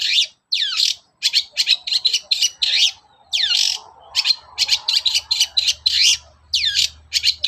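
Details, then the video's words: Vigorous morning singing by a long-tailed shrike, a lure to make others sing: fast chattering series of harsh, scratchy descending notes, nearly continuous, with a faint low hum late on. "SUARA PANCINGAN BURUNG CENDET GACOR PAGI HARI"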